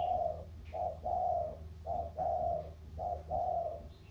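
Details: Spotted doves cooing in the thổ style, a Sóc Trăng river-delta bird matched against a Cam Ranh mountain bird; deep hollow coos in repeated pairs, a brief note then a longer drawn tone, evenly spaced.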